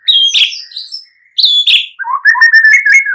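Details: White-rumped shama singing energetically as a provoking lure for other songbirds: two loud, high, slurred whistle phrases, then a quick run of lower chattering and warbling notes.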